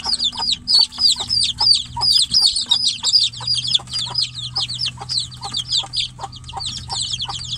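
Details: Chicks kept inside a cage with the mother hen outside call loudly for her, a rapid, restless chorus of sharp falling peeps, about three or four each second, over a steady low hum.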